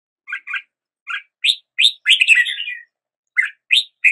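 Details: Red-whiskered bulbul song with paired chirpy notes, then rising whistled notes and a longer rolling warble, phrases spaced by short silences.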